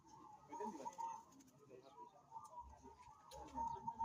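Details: Local zebra dove singing a series of soft, rolling, mid-pitched coos in short bursts, with low rumbling background noise and faint other sounds.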